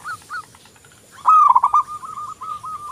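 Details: Local zebra dove (perkutut lokal) in eager song, as a lure: two soft coos, then a loud sharp-edged trilled phrase that runs on into a steady string of even cooing notes.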